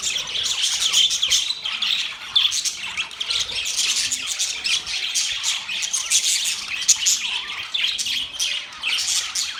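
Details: Budgies' mating sounds: a continuous, scratchy warble of high chirps and squawky twitters from several birds talking together, dense and unbroken across the whole stretch.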